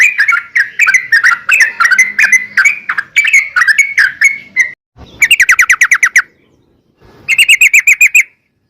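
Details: Energetic yellow-vented bulbul singing, meant to prompt other bulbuls to answer: a long run of chirped notes at a steady pitch, then two quick rolling trills of evenly spaced notes separated by short silences.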